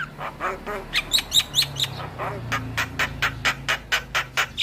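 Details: Javan myna in a lure song for silent mynas: low harsh croaks, a few high whistles, then a steady series of about a dozen rasping notes, roughly three per second.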